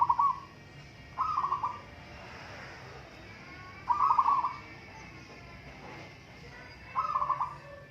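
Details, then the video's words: Zebra doves of local stock competing in song: four short rolling, stuttering coo bursts spaced a few seconds apart, with a faint low hum beneath. "Burung perkutut lokal adu suara"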